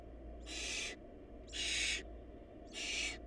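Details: Barn owl nestlings in a food-short family, three long rasping hisses about half a second each, spaced about a second apart, over continuous low droning.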